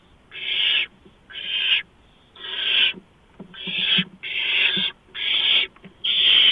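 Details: Barn owl nest, 4:26 AM on 6 March 2015, a mouse being brought in: seven rasping, hiss-like screeches follow one another in rhythm, roughly one per second, loud and noisy in texture.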